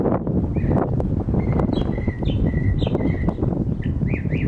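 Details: Northern mockingbird song in a residential neighborhood, camera recording: a run of short level whistled notes repeated several times, then quick chattering zigzag notes, all over loud blustery wind noise.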